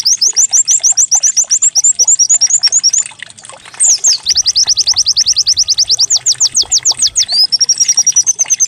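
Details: White-eye decoy song meant to coax a caged bird into singing: fast repeated high chirps, a brief pause, then a run of steep downslurred whistles ending in a thin level trill.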